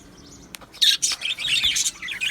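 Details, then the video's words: Australian budgies in a colony aviary, 12 July 2025: after a quiet start comes a loud squawky chirp, then a run of fast, bright warbled tweets and chatter. "Australian Budgie Chirping Sounds"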